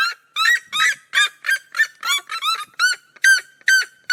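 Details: Two red-legged seriemas of the cerrado calling in duet, dense overlapping yelps early, then clean spaced barking notes near the end, about two to three each second.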